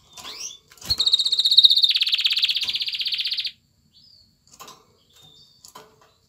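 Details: Courting male canary singing to a female to urge her to mate: a few thin chirps, then a fast rattling trill that drops into a lower, harsher buzzy roll, followed by scattered soft notes.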